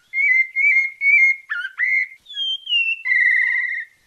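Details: Thrush known as sabiá parda da Bahia delivering melodious santa fé song, three level whistles repeated, a rough burst, then a high descending whistle and a long trilled note.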